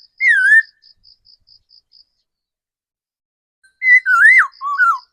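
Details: Mature forest laughingthrush kept as a decoy bird, opening with a wavering whistled note, then silence and a fast cluster of slurred, looping whistles, with a regular high ticking pulse in between.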